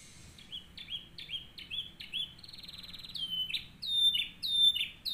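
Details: Master song of a canary for training others: quick rising-and-falling whistled notes, a fast buzzing trill near three seconds, then louder downward-swooping whistles repeated steadily.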